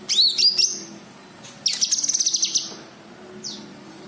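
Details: Cucak kinoi white-eye calls played to lure untrained birds: a quick whistled flourish, then a fast high rattling trill of about a dozen notes, and a lone thin downslurred note.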